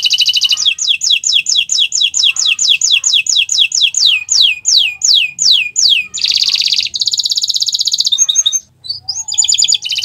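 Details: Canary song on a Friday morning: long series of repeated downward-sweeping whistles that slow gradually, followed by a buzzy sustained trill, a brief pause and sharp chipping notes before another fast trill.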